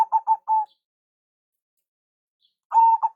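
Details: Local zebra dove lure calling. A few quick cooing notes and one longer note are followed by silence. Another phrase then starts with a drawn-out coo and choppy notes.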